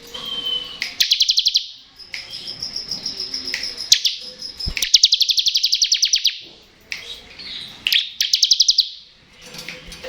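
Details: Bar-winged prinia giving ngebren song, played for lazy or untrained birds: three bursts of quick, high, buzzy trilled notes, each about a second, with a thin steady whistle and background hiss between.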